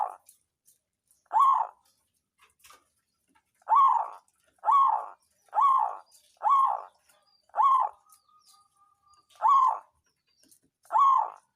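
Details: Songgo ratu zebra dove, a local bird used to stimulate other doves to sing: eight short, rolling coos at uneven intervals, some in quick succession, with a faint steady tone in a gap.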